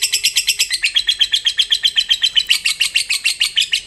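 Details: Lovebird of the fighter type in long ngekek: a continuous rapid chatter of rasping high notes, roughly four per second, running unbroken through the whole stretch and said to prompt other lovebirds to join in.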